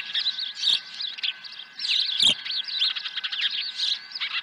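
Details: Osprey at its nest at Dunrovin Ranch on 23 April 2020, swooping in with a second fish. Dense, rapid series of high whistled chirps, some rising and some falling, continues almost without pause over a faint steady electronic hum.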